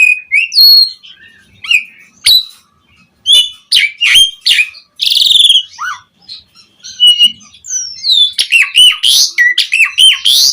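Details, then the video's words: Asian pied starling singing a rich, varied song meant as a lure for other starlings: sharp whistles, clicks and harsh buzzy phrases, a low slurred note, then a dense chattering finale. "Suara JALAK SUREN Gacor MATERI Full Mewah Cocok Buat Pancingan Burung Jalak Biar Cepat Bongkar Isian"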